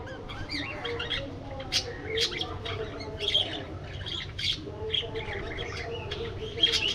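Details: Budgies in an aviary produce a busy mix of high chirps, wavering warbled squeaks and harsher short squawks, with louder bursts scattered throughout, over a low hum.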